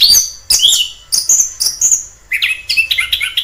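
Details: In the wild, an orange-headed thrush sings fast mimicry-like phrases: high piercing notes and sweeping whistles, then a burst of rapid, scratchy, chattering notes.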